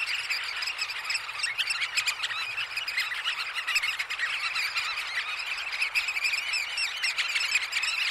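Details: Many Eurasian oystercatchers at roost at Snettisham in early morning, close up; a continuous wash of high, piercing piping notes from a crowded flock, steady in loudness throughout.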